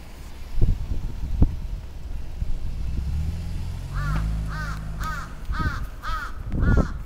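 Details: Attacking crow recorded on 27 June 2017 in Atsubetsu Ward, Sapporo, Japan. After a few seconds of low rumble and a steady engine-like hum, a rapid string of six rasping caws follows.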